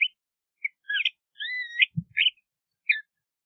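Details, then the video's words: LeConte's thrasher song of scattered whistled notes: short chips, a double phrase, a long looping slurred whistle, then brief clipped notes, with a soft low thud in the middle. "LeConte's Thrasher Bird Singing, Calling, Chirping - Cuitlacoche Pálido Canto"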